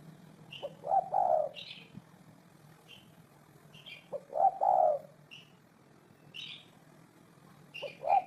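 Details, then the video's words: Spotted dove giving low, soft, hollow coo phrases about every three and a half seconds, each a few rolling notes. Higher thin chirps from other birds are scattered between the phrases, over a faint low hum. "Tổng hợp tiếng chim cu gáy hay năm 2018"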